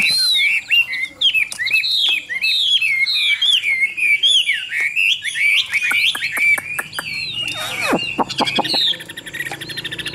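A Chinese hwamei sings a loud, rich run of varied whistles and slurred phrases, then ends in rapid sharp notes and sweeping downward calls.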